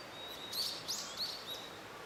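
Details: Blue-and-white flycatcher singing from a treetop at some distance at Settsu Gorge, Takatsuki, Osaka: faint, high, clear whistled notes, about four short slurred phrases in under two seconds, over a soft steady background hiss.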